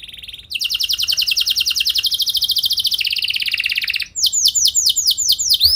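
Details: Canary training song meant to draw a long rolling reply: a brief high tone, then a long rapid trill of repeated notes that drops slightly in pitch, followed by loud descending slurred whistles.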